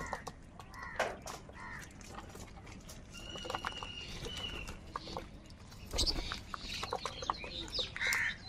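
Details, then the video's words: Crows fighting for food give harsh, harmonic cawing calls in short bursts during the first two seconds. Thin high whistles, sharp clicks and scattered knocks follow, with fainter calls and background bustle throughout. "Crow sound of kaka |কাকের ডাক Crow Sound Crow ki Awaz Loudly"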